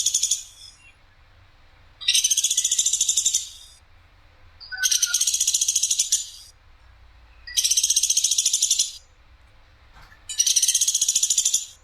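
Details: Harsh, sharp rattling of a woodpecker called platuk sampit on a clear training recording: four high, fast-pulsed trills, each about 1.5 seconds long, coming roughly every 2.7 seconds with quiet between them.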